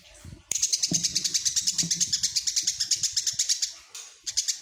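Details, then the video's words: A tame Eurasian tree sparrow chatters in a fast, bright stream of chirps, about eight or nine a second, pausing briefly before resuming, over faint low thumps; described as singing actively day and night. "Burung greja jinak dan gacor"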